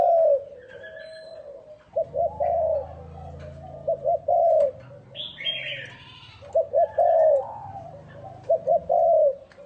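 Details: Spotted dove decoy calling to attract wild doves, giving repeated rolling coo phrases with stuttered double notes, while other birds add brief high chirps and a low rumble runs underneath.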